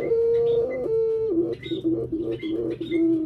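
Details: Captive collared dove with a sequence of low, hollow coos stepping between two pitches, repeated several times, with high thin chirps of other birds above.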